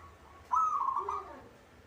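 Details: Caged local zebra dove singing often: a bright coo rolls into a fast, pulsing trill lasting under a second, with a soft lower undertone. A gentle hum sits beneath.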